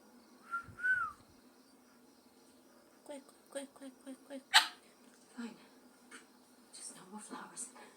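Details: Blind rescued African grey parrot, recently removed from an illegal breeder, calling to bird friends it hears but cannot see: one short rising-and-falling whistle, then a quiet run of clicks and pops, with a person talking nearby.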